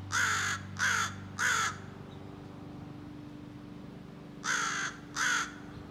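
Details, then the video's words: Young American crow practising scolding and territorial calls: harsh caws, three in a quick run, a two-second pause, then two more, over a steady low hum. "Young Crow Practices Scolding and Territorial Calls"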